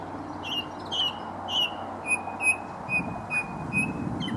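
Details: Wild song thrush by the River Wey towpath at Stoke Lock, Guildford, repeating a slurred whistled note three times, then a higher clear whistle repeated about six times at steady intervals, against constant low rumbling noise.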